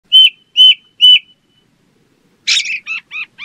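Ring ouzel giving three clear, high piping notes about half a second apart, then a harsh, rapid chattering run of scratchy notes.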